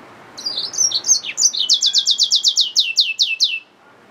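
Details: Yellow-fronted canary mule, a hybrid finch, sings a few varied high chirps then a long rapid trill of about fifteen repeated descending notes, clear and close.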